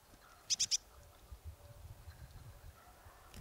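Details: Marsh tit, Kawęczyn in Nowy Korczyn district, Poland: three loud, high, rapid chipping notes delivered within a quarter second, followed by soft low rustling.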